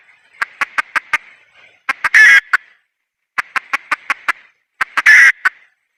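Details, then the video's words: Red junglefowl hen, wild, calls in two bouts about three seconds apart. Each bout is a string of short, clipped clucks rising into a loud, grating squawk, followed by one or two closing clucks. "Suab poj qaib qus see zoo heev"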